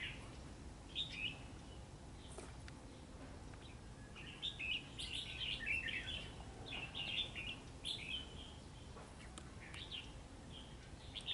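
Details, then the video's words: Red-whiskered bulbul in a fight with a trap bird on a cold, rainy day, giving a rapid series of lively, chattering whistled notes that grows busiest midway, against steady background hiss. "Bẫy đấu chào mào ĐINH CUI NGÀY MƯA RÉT"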